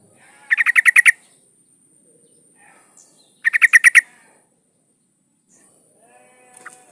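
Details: Breeding female yellow-vented bulbul calling to a male, two bursts of rapid bubbling chatter about three seconds apart, each with around eight notes, in an otherwise quiet setting.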